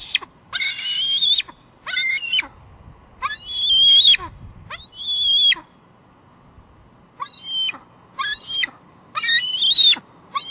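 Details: Juvenile female bald eagle at the nest cam at Two Harbors, 16 July 2022, calling while expecting food as her father arrives with nest fluff: a run of shrill, high, squealing notes in bursts with short gaps.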